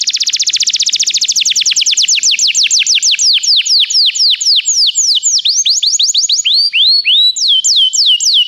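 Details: Canary song played to encourage another canary to sing: rapid high trill of falling notes that gradually slows, then shifts into wider swooping whistled syllables repeated in quick series.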